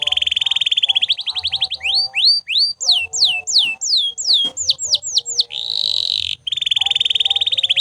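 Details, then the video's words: Canary in unbroken song for training other birds: a fast rolling trill, then rhythmic falling whistles about three per second, a buzzy burst and another rolling trill. Lower tonal notes run quietly underneath. "Canto de Canário Gritando Sem Parar"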